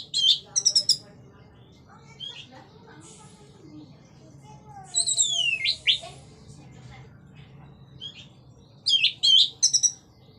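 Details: Orange-headed thrush in energetic ngeplong-style song, meant to stimulate other thrushes to sing. Short bright whistled and buzzy phrases come at the start, middle and end, separated by quiet gaps with a low background hum.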